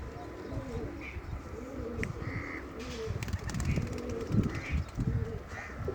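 Pigeons coo in low, throaty, rolling phrases that overlap and repeat, with a few faint higher chirps from small birds in the background.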